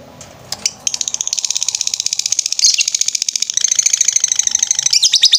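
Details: Lovebird performing ngetrek song on a master recording for training birds: after a few opening chirps, a fast, sustained high trill of rapid notes, growing louder and more rattling toward the end.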